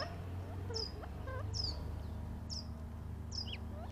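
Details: A quail pair gives short, high, down-slurred chirps about once a second while drinking, with a few softer low notes, in the Arizona desert near Tucson on a trail cam, over a loud steady rumble of a wood chipper or airplane.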